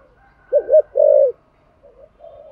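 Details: Spotted dove in thổ voice, a song used to draw in wild doves: a double-peaked coo followed straight away by a long, steady, rich coo, then faint soft hoots fading out.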